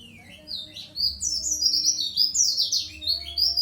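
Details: Oriental white-eye of the Dakun Bali type, a bird still learning its song, kept as a lure (pancingan): rapid high twittering, chirps and warbled phrases running almost unbroken from about one second onward, over a faint low hum.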